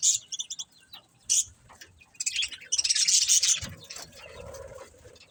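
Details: Budgerigars give sharp high chirps at first, then a thick burst of fast scratchy chatter, fading to softer murmuring warbles at the close.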